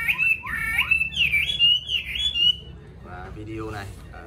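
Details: Yellow-billed Chinese hwamei in a cage at home gives a loud burst of fluid, looping whistles for about two and a half seconds. Quieter muffled sounds follow.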